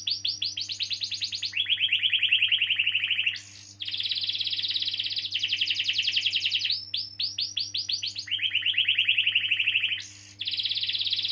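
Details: Canary singing long rolls to stimulate young or silent canaries: alternating high and low rapid trills separated by brief sharp notes, repeating the pattern over and over; low steady hum throughout.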